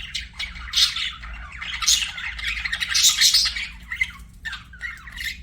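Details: Continuous budgerigar chatter: dense, rasping warbles and squeaky chirps swelling around one, two and three seconds, then scattered short notes, over a low background hum.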